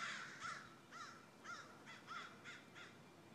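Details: Crow calling with a series of six short harsh caws spaced roughly half a second apart, each a rough descending note, over a quiet outdoor background.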